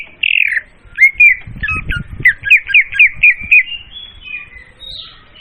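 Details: Clear, loud leafbird lure used for trapping: a harsh opening note, then a rhythmic run of quick looping whistled chirps, ending in softer thin high whistles, with faint low rustling.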